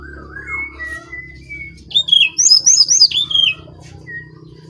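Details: Brown-chested jungle flycatcher singing vigorously: a soft rising-falling whistle and level notes, then a rapid burst of bright, high whistled slurs sweeping downward, ending with one short quiet whistle; a faint low hum underneath.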